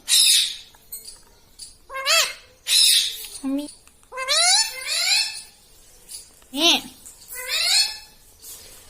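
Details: Green ringneck parrot indoors mimicking words like "mitthu" and "mummy": loud, nasal, rising and falling voice-like calls repeated in several bursts.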